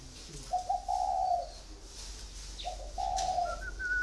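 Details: Spotted dove kept caged for four years, calling two low hollow coos, a short note then a sustained one, followed by a thin higher whistled tone at the end.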